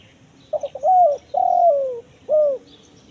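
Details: One full spotted dove phrase, 'kuk 1 mersik' style, for luring wild doves in forest: stuttering introductory notes, a long hollow coo gliding down, and a single short sharp coo to finish.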